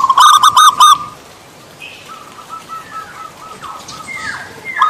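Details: Zebra dove, a local Javanese perkutut described as reluctant to sing: a quick opening burst of five or six loud, harmonic-rich notes within the first second, followed by faint thin whistles and slurred notes in the background.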